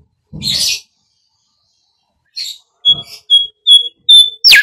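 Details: Bimoli bird singing as a lure for training other birds: a harsh, scratchy burst, a pause, then a run of clear, high whistled notes repeated quickly. The run ends in a sharp downward-sliding note.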